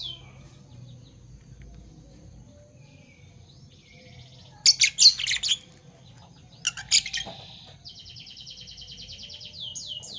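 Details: In the morning, parblue violet and turquoise Fischer's lovebirds give two bursts of harsh, loud, broadband squawks. A steady buzzy high trill follows, with a few quick descending chirps.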